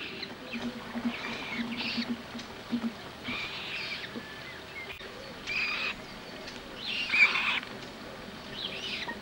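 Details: Common moorhen in a central French wetland, 27 April 2012, around mating time with three-week-old chicks nearby: rasping, scratchy bursts in irregular groups, with brief quiet gaps between them.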